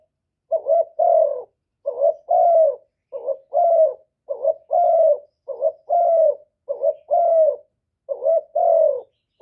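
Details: Spotted dove call meant to provoke rival birds, recorded without background noise: a steady run of about eight two-part coos, each a short rising note then a longer falling one, roughly one per second.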